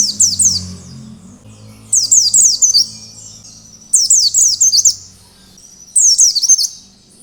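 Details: Oriental white-eye in ngalas (wild-style) song, used as a lure to get other white-eyes singing: four high bursts roughly two seconds apart, each a quick run of sharp downslurred whistles, over a faint low hum.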